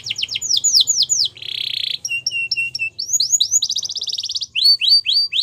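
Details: Canary singing a rapid, varied song of repeated high trills: rising and falling whistled sweeps, a buzzy rattle, clipped notes, then more sweeping trills, on a quiet background.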